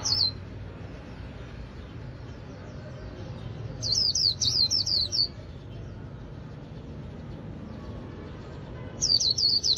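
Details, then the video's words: White-eye of a northern Vietnamese bird keeper, singing líu style: short bursts of five or six quick, high, descending whistled notes, separated by pauses of several seconds, over a steady low hum. "Chim khuyên líu đỉnh của nghệ nhân đất Bắc"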